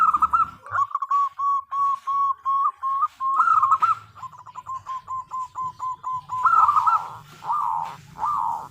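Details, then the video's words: Female zebra dove calling the male: a rapid series of short, even coos repeated several times a second, with a louder, rougher stretch near the end and low background noise. "Suara Perkutut Betina Memanggil Jantan"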